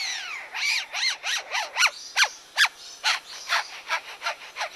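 A lyrebird gives a quick run of harsh, rasping sweeps, about a dozen in five seconds, that sound like filing or sawing.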